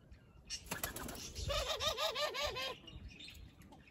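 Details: A captive Barbary dove (Streptopelia risoria), not wild, gives its soft rolling laugh call, about six quick wavering notes in a low, warbling tone, after a burst of flapping wings.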